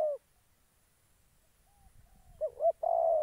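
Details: Spotted dove used as a decoy bird for trapping, Gia Lai, Vietnam: short low mellow coos, a brief one at the start, then a wavering double note and a longer sustained coo near the end, over faint low rumble.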